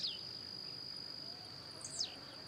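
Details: Blue-black grassquit singing and hopping in the wild: two quick, sharp notes sweeping downward, about two seconds apart, over a steady high insect hum.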